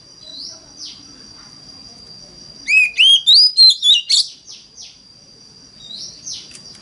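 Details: Oriental magpie-robin singing in the 'mountain forest voice' style, a lure song meant to prompt other magpie-robins to sing: a quick burst of about six loud, clear, rising and falling whistles, with a few softer upslurred notes before and after and a steady high tone throughout.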